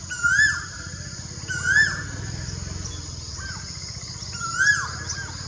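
Blue-faced malkoha giving short, upslurred mewing notes, one every second or two, over a steady low rumble.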